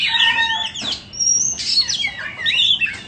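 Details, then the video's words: 'Than bông' Oriental magpie-robin, a caged sale bird, sings a lively phrase: a buzzy note and a low whistle, a brief rustle, then a long high pure whistle followed by quick looping, warbled slurs. "Chích choè than bông"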